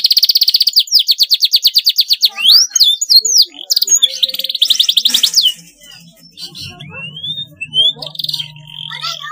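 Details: Canary singing for young learners: a loud, very fast trill, then mixed sweeping notes and another rattling roll, fading to soft scattered whistles and a low hum.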